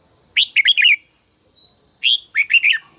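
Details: Song of a red-whiskered bulbul in voice training: two crisp phrases about a second apart, each a quick chain of three or four bubbling, liquid notes with a thin high whistle between them.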